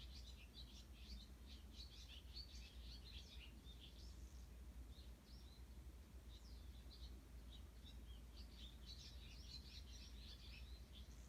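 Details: Early-morning chorus of Eurasian tree sparrows recorded on 18 June 2018, a flurry of quick, high-pitched chirps and twitters coming in clusters, fading midway then resuming, over a constant low hum of background noise.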